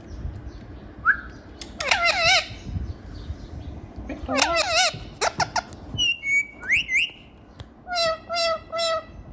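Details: Captive ringneck parrot, a lively pet said to talk and dance, mixes a short whistle, bursts of rough harmonic squawks and sliding whistled notes, ending in a run of four steady squawks.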